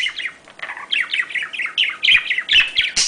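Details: Budgerigar warbling meant to prompt mating: a fast string of rising and falling chirps, about two per second, with scratchy clicks and a harsh squawk near the end.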